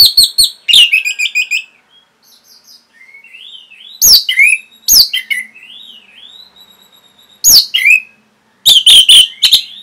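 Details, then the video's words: Orange-headed thrush singing in a training recording (masteran) meant for caged birds: loud bursts of sharp chirps alternate with soft, wavering mid-high whistles and rolling warbles, closing on a dense flurry of ringing notes. "CUKUP 15 DETIK ANIS MERAH PASTI MENGIKUTI KICAUAN MASTERAN INI"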